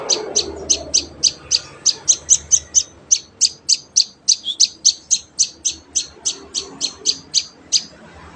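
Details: Hand-fed young prinia chick calling with a continuous series of short, high, piercing chirps, roughly three to four each second, evenly spaced and unbroken for the whole stretch; quiet background.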